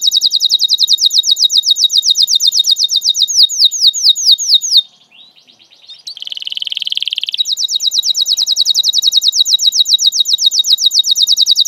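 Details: A canary sings lure song for young canaries learning sounds: rapid rolling high notes slowing into spaced downslurred whistles, a brief pause, a buzzy trill, then the fast rolling series resumes.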